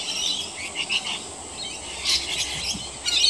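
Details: Several rainbow lorikeets bathing in roof gutters give harsh, screechy high squawks in scattered bursts, with a louder cluster near the middle and a burst at the end, over a steady high hiss.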